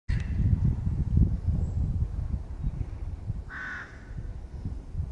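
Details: Crow crying during a fight over peanuts on a territory border, with aggressive postures and attacks; one short harsh caw near the start and a louder hoarse cry after three seconds over strong low rumbling wind noise.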